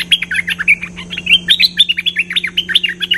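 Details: Lively, chattering song of a Cream-vented bulbul, used for luring birds: a continuous stream of short, warbled chirps jumping between pitches, about ten notes a second, with a faint steady hum underneath.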